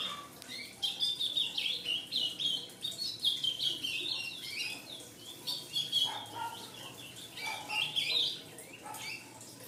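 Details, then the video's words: Ultramarine grosbeak fledgling making a busy series of high, wavering chirps and slurred squeaks in uneven bursts, a few lower notes mixed in. "Filhote de azulão"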